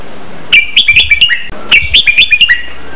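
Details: Red-whiskered bulbul performing a doubled training song for captive birds to imitate: a pair of lively whistled phrases, each a tight run of about seven warbling notes, with steady hiss behind.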